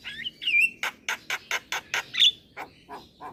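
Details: Black-winged myna song used to lure young birds into singing: whistled slurs, then a row of six harsh rasping notes, a sharp whistle and fading scratchy calls.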